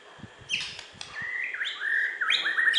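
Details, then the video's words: Bornean white-rumped shama, a West Kalimantan champion, gives short clicks followed by clear stepped whistles, with faint low thumps early on. "Video Burung Murai Batu Borneo Juara Di KalBar"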